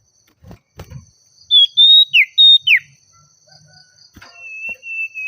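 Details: Oriental magpie-robin singing in a lively, agitated manner as if calling a rival: a long level whistle, two quick downslurred notes, another steady whistle and a further downslur, then a quieter level whistle after a pause; faint clicks and a steady high hum.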